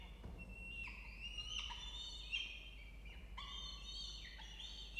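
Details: Nest-box peregrine falcon family in a water tower, Orange, New South Wales, Australia, 4 November 2024, late afternoon, with month-old nestlings. Repeated whining, harmonic calls that rise, then level off, in bursts roughly a second apart.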